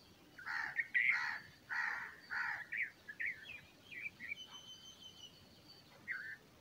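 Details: Young bulbul chicks calling while a parent feeds them, with raspy, noisy begging pulses repeated several times, then scattered short chirps and a thin high whistle.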